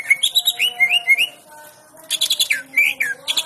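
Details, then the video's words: Greater green leafbird (cucak ijo) in energetic full song, used as a tutor recording for songbirds: rapid, varied slurred whistles, chips and rising notes packed together with a brief pause midway, over a faint steady hum. "cucak ijo hiper bongkar isian"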